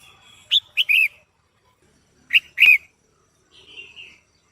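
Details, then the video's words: Female red-whiskered bulbul singing to stimulate a male: two groups of loud sharp chirps with ringing harmonics, followed by a softer slurred warble at the end. "Chào Mào Mái Hót Kích Trống Căng Lửa | เสียงนกกรงหัวจุกตัวเมียดังฟังชัดกระตุ้นนกตัวผู้"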